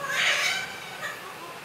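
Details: A five-month-old female pet Eclectus parrot chatting during a storm and imitating a cat's meow: one loud, harmonic, meow-like cry lasting about half a second, then a softer brief note, over a steady background hiss.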